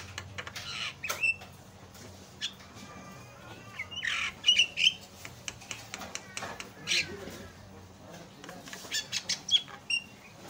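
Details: Javan myna song meant to make other mynas sing: irregular harsh squawks, clicking bursts and high piercing whistles, with quieter gaps and a low hum throughout.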